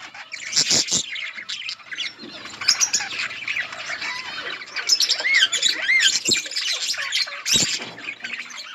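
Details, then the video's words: Budgies feeding together outdoors in a colony: harsh squawks and clicks first, then looping whistled warbles and rising chirps from several birds overlapping. "Budgies parrot eating and chirping sounds budgies birds in budgies outdoor colony"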